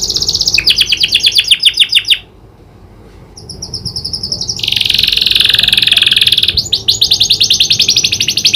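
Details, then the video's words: Canary in energetic song, trained to imitate the prinia's clicking call: rapid rattling trills, a brief pause, high thin notes, then a dense buzzing trill and another fast rattle. "Burung kenari gacor isian prenjak klik"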